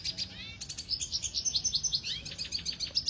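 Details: Red siskin song from Venezuela used for training, a rapid high twittering of short chirps and fine trills with a few down-slurred notes, delivered in a quick even pulse.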